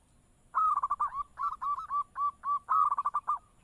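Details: Zebra dove, a local perkutut, giving a long, steady call: bursts of rapid rolling coos alternate with spaced single notes and end in a final fast trill.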